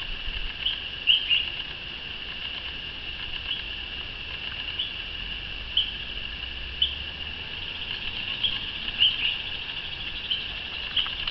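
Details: Flock of bronze mannikins in Yaoundé, Cameroon, August 2012, keeping up a steady, high, thin twittering, with brief sharper chips breaking through every second or so.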